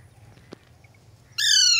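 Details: Pet Ringneck and Alexandrine parakeets; a single harsh, strident screech that falls slightly in pitch comes at the end, after a quiet stretch with a brief click.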